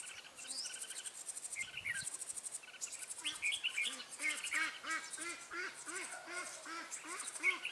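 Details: Red-whiskered bulbul used as a lure bird for trapping in Vietnam, 14 March 2017: short chirped and warbled notes in quick, uneven bursts over steady, shrill insect trilling, with a soft low hooting repeated about every half second in the background.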